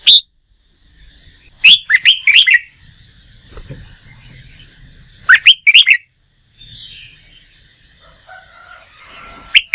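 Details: Red-whiskered bulbul, a wild-caught bird in contest-song training, sings bursts of quick, chattering warbled notes in several groups, over low background rumble and faint calls from other birds.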